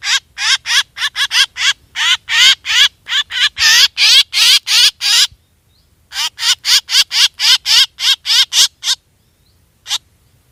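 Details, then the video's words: Black drongo lure calls: long runs of scratchy, quavering notes at roughly three per second. A brief silence splits the bursts, and one last single note follows the second run. "suab ntxias tshauv quaj dib tua 100% เสียงนกแซวดำร้อง"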